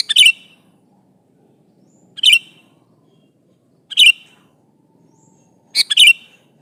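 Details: Sooty-headed bulbul, a prolific singer, calls an opponent with brief bright chirping phrases spaced about two seconds apart, four in all, against a faint low background hum.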